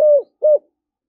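A spotted dove gives two low, mellow coos, each about a quarter-second long, a short pause apart. No other sounds are heard.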